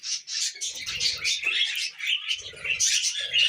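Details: Pet budgerigars, tame and kept together, chatter as they eat millet: continuous buzzy twittering with sharp chirps, over soft rustling and faint low knocks.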